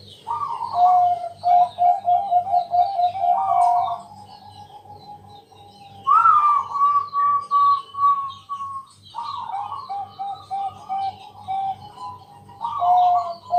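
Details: Night song of a Bangkok zebra dove used as a lure to set other doves singing: repeated phrases of quick stuttering coos ending in sustained tones, one higher rising note near six seconds, and a faint electrical hum throughout.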